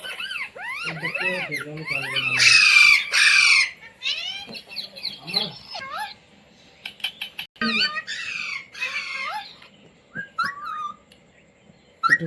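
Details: Talking pet Indian Ringneck parrot repeating "mummy", "mitthu" and "roti roti"; rhythmic chattered syllables and a long harsh screech early, then sparse clicks, squeaks and short whistled phrases.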